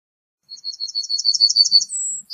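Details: A single Yellowhammer phrase: a quick series of sharp, repeated high chips that grows slightly louder, then finishes on a long, thin, very high drawn note.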